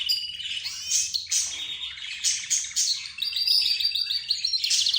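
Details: Mixed aviary chorus of budgerigars, lovebirds, zebra finches and canaries: dense overlapping high chirps, twitters and rapid trills throughout, with no pauses and a faint low hum underneath.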